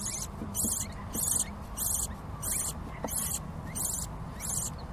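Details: Hungry baby lovebird chicks begging: harsh, broadband rasping bursts repeated in a steady pulse, about two per second, over a low background hum.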